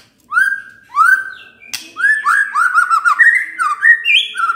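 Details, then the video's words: White-rumped shama lure song to stir other birds into showing their full repertoire: rich, fluty whistled phrases, each sliding upward then falling, delivered in a quickening sequence with a sharp click between, backed by quiet surroundings. "Pancingan Murai Batu Bongkar Isian"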